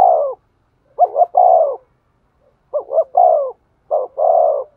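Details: Spotted dove giving stimulating coos for a male bird: three clean low phrases, each a short broken double note followed by a sustained falling coo, separated by brief pauses, in quiet surroundings.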